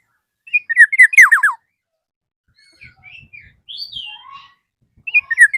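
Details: Black-naped oriole calling a rival. Loud burst of nasal, downward-sweeping notes, then a quieter stretch of mixed whistles with faint low knocks, and another harsh burst beginning at the end.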